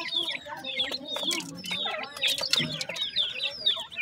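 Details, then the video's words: Several grey francolin chicks peep continuously while feeding, with high slurred chirps overlapping. Lower murmuring sounds and occasional clicks run underneath. "gray pheasant chicks with feeding"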